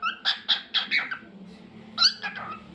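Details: Pet cockatiel singing: a run of four quick harmonic chirps, a pause, then another short burst of chirped notes, with quiet indoor background.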